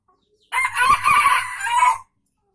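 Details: Junglefowl from Aceh, recorded as a lure call: one loud, hoarse crow lasting about one and a half seconds, harsh and broad-toned with a few quick pulses at its start, against quiet surroundings.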